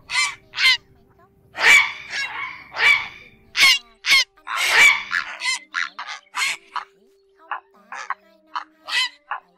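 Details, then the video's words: Flock calls of grey herons, the ét and ọc ọc style, used at night to lure birds to nets during the August 2024 migration: loud rasping squawks at first, then shorter, fainter harsh notes spaced unevenly. "Tiếng Diệc Xám Bẫy Đêm Vụ Chim Tháng 8 - 2024 Phát Ra 2 Loa ( 2 vế ) Tiếng Diệc Gọi Bầy ÉT ỌC ỌC"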